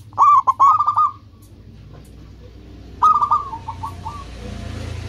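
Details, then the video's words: Zebra dove singing, a local bird used to call in companions: a stuttered opening of clipped coos trailing into a level note, then after a pause a rapid run of fading whistled syllables; faint hiss behind. "Perkutut lokal gacor menarik perhatian lawan langsung pada nyaut semuanya"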